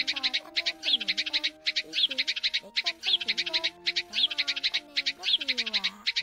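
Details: Sparrow calls played to lure birds into traps during Tet 2022. Rapid bursts of shrill chirps repeat in clusters about once a second, backed by sliding melodic music.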